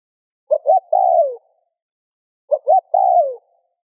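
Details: Spotted dove cooing, recorded to stimulate other doves to coo: two matching phrases two seconds apart, each a short soft hoot, a flat note, then a long drawn note sliding downward; otherwise silent.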